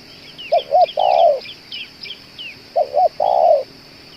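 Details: Spotted dove, described as a tireless caller for use as a decoy; two quick coos and one longer, slightly falling note, repeated twice, with many thin high twittering notes from small birds around it.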